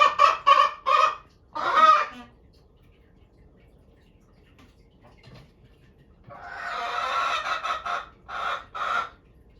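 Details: Araucana hens, pets, voicing their wish to go out walking when the owner passes the hutch; a few loud raspy squawks, a quiet gap of several seconds, then another rapid rasping series.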